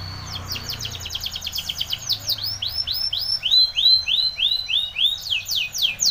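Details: Spanish Timbrado canary song meant for training young birds: rapid rattling note series giving way to repeated upslurred whistles, several per second, bright and high, with a faint low hum beneath.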